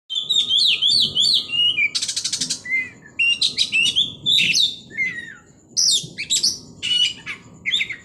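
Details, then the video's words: White-rumped shama song: rich varied phrases of whistled notes and sweeping slurs, broken by a burst of harsh buzzy rattles and dry clicking trills, loud and continuous over eight seconds. "Tembakan bikin Kacer lain Bagong"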